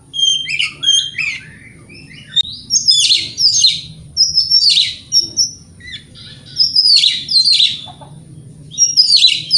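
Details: Oriental magpie-robin singing actively in the morning, a lure recording meant to provoke rival birds to answer: loud phrases of sweet whistles mixed with harsh, scratchy bursts, separated by short pauses, over a faint steady high whine and low hum.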